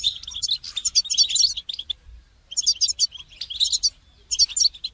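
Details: Goldfinch song used for training songbirds: rapid bursts of high, bright twittering and tinkling notes, interrupted by short pauses near two and four seconds. A low background rumble runs throughout.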